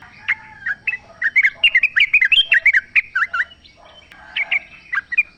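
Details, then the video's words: Wild sooty-headed bulbul singing in natural surroundings, recorded as a lure to prompt caged birds to sing: a lively run of short bubbly, slurred notes, many sharply rising or falling, given in quick irregular bursts, then a few scattered phrases. "trucuk gacor ngalas full suara alam ampuh buat pancingan agar bunyi jadikan trucukmu gacor nyaut"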